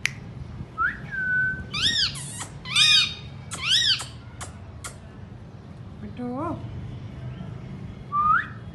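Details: Pet Indian ringneck parakeet giving a whistled upslur, then a run of loud arched squawks about once a second, a few clicks, lower descending notes and a final rising whistle, indoors.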